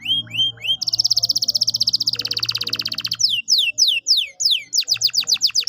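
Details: Canary song to restart a silent canary's singing: rising whistles, a long loud rattling trill, then rapid descending sweeps, over a low steady hum.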